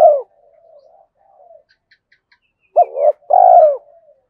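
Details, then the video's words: Decoy spotted dove calling to lure wild doves; a loud opening coo, soft murmured notes, then a short hooked coo and a long purring rolled note. "Chim Cu Mồi Thúc Bổi Và Gáy Gọi, Bổi Nghe Nhanh Gáy Và Nhanh Về Cội"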